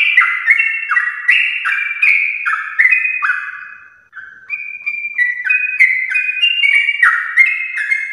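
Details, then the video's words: Sooty-headed bulbul in the morning singing a long ropel-style song meant to stir other bulbuls into singing: liquid whistled notes stepping up and down in quick runs, briefly fading around the middle before resuming. "trucukan gacor ropel panjang Perangsang biar trucuk aktif ropel saat pagi hari"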